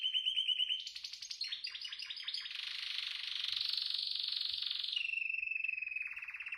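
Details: Canary song opening with a steady trill, shifting into fast descending chirped notes, then a dense loud rolling trill before settling into a lower even trill repeated rapidly.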